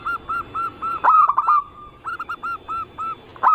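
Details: Zebra dove (perkutut) song used as a lure to draw other perkutut into singing, described as covering local, Bangkok and crossing styles: rows of short arched cooing notes, several loud harsher bursts in between.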